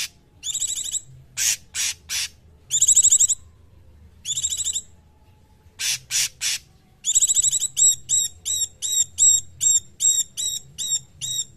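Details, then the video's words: Cungkok training song: alternating buzzy trills and harsh rasping bursts, then a long run of quick, bent, whistled high notes repeated about twice per second to the end. "Masteran Cungkok"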